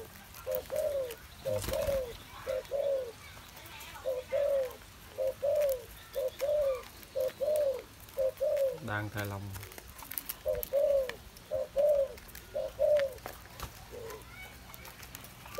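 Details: A caged spotted dove on an afternoon in late August 2021 coos steadily in soft, hollow, arched notes, mostly in twos and threes, roughly one per second, while a man speaks briefly in the background.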